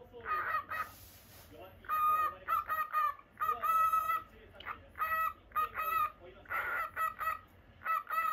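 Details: Normal lutino cockatiel kept as a house pet, chattering continuously with many short harmonic chirps and a few longer level whistles, packed closely with only brief silences.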